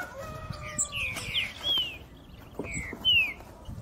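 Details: Green-winged saltator (trinca-ferro) kept by a bird breeder in Brazil, singing the three-note 'boi' style: loud, clear whistled notes slurring downward, with quieter chirps from other birds and faint background noise.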